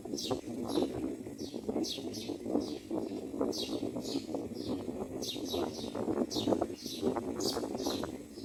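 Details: A Myna mother feeds her newborn chicks in the nest as they wait for food: thin, high chirps in quick bursts about twice a second, over lower, rougher chattering and rustling.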